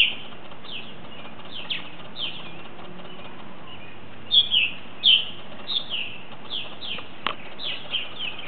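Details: About ten purple martins that returned from last year, before the first-year birds arrive, flying in to roost for the night at a colony, give short, chirpy, slightly throaty notes, about one or two a second, over a steady low rumble.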